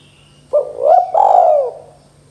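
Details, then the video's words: Spotted dove 'kuk 2' call, one full phrase of a short rising coo joined to a longer hoarse hoot that bends down at the end, with a light constant hum beneath. "suara tekukur KUK 2 gacor"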